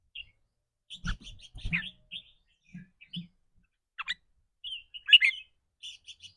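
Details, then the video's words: Caged red-whiskered bulbul in 'rik rua' or doubled 'rik ble' style, varying with the day's mood. Quick chirps and whistled notes with one loud burst near the end, mixed with low thumps early on, like cage or handling noise. "ริ๊กรัวๆ คือเรื่องปกติ"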